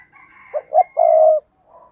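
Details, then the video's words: Decoy spotted dove giving one strong low coo phrase: two quick hollow notes then a sustained, slightly wavering coo, with a faint higher thin tone running above it. "tiếng cu gáy mồi cây thúc rút bổi căng lửa"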